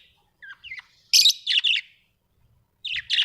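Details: Pet budgerigars kept at home, giving short bright chirps and a few scratchy notes in scattered bursts, with quiet gaps between.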